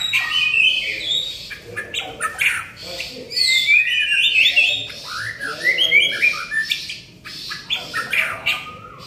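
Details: Lively white-rumped shama song (gacor): fast streams of fluty whistles, upslurs and chattering notes, phrases pouring out several times a second with brief lulls.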